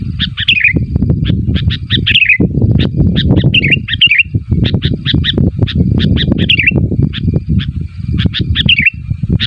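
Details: Sooty-headed bulbul calling to draw replies from other bulbuls; clusters of short sharp chirps and slurred warbled notes come in bursts, over a steady low rumble of background noise.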